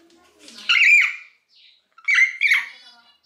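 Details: Three-month-old common hill myna chick, sex not yet known, kept as a pet indoors and not yet able to talk: two loud, harsh, buzzy squawks with ringing overtones, about a second apart, in a quiet room.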